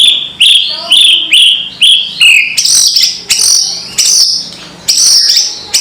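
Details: Loud crackling call of a white-rumped shama used to provoke rivals: a run of short whistled notes sliding downward, repeated about once a second, then harsh broadband rattling bursts mixed with high sharp notes.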